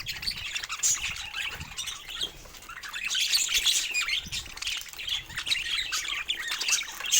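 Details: Pet budgerigars giving lively morning chirps while playing with toys: quick repeated high twitters and buzzy squawks in a near-continuous chorus, with occasional wing flutter.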